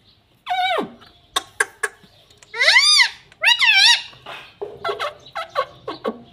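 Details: A pet parrot talks in nasal, arched syllables. A sharply falling first word is followed by taps and two long rising-falling voiced sounds, then a string of short clipped clicks.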